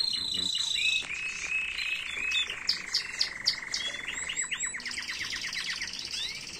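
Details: Canary singing an error-free tutor song meant to teach young birds, 2022: mixed rolls and chattering phrases, a sustained lower trill, then a run of quick downward-sweeping notes and a high buzzy roll.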